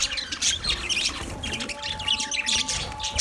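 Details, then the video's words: A budgerigar colony gives continuous chirping: rapid high twitters, short whistles and scratchy warbles pile over one another without pause, with a faint steady hum beneath. "Budgies Parrot colony | Budgies chirping sounds"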